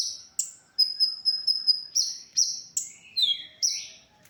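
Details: Konin, the olive-backed sunbird, singing for songbird training: a thin high trilled run of ticks, then a series of shrill notes and a lower swooping slur.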